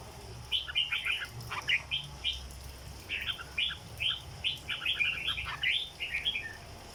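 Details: Cage-kept red-whiskered bulbul giving its 'rong dok' song. Lively clusters of chirpy, whistled notes come in two bursts separated by a short gap. The second burst is denser and more jumbled, and a low hum runs underneath.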